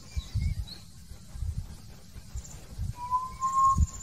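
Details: Hill partridge song: a single clear, slightly rising whistle near the end, with thin high chirps from other birds and low rumbling wind noise throughout.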